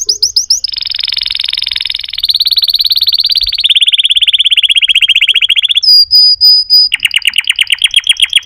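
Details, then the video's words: Canary song: quick chirps, then long pulsed rolling trills stepping down in pitch, a few pure high whistles, and a final fast rattling tour. "chant singing canaries 12 تغريد الكناري"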